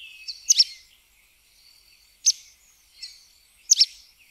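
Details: High, piercing notes of a sooty tyrannulet (Serpophaga nigricans): a doubled chip, a single sharp note, a softer note, then another doubled chip, spread across about three and a half seconds in quiet surroundings.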